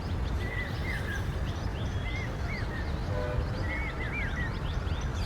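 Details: Papiha (common hawk-cuckoo) heard near Ahmedabad on a hazy monsoon morning: sharp, rising whistled notes in repeated groups over steady rumbling background noise, with faint chirps of other birds.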